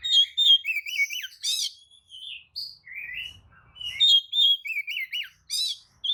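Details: Oriental magpie-robin (kacer) with tail spread, singing a provoking lure song: clear whistles, wavering trilled notes and harsh buzzy bursts in two similar sequences separated by a short pause.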